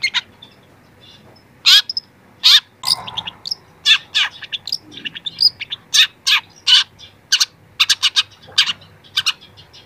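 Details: Young long-tailed shrike starting to reveal its mimicked phrases, used as a training recording: a varied sequence of sharp clicks, high ticks and harsh buzzy notes in uneven bursts, growing denser toward the end.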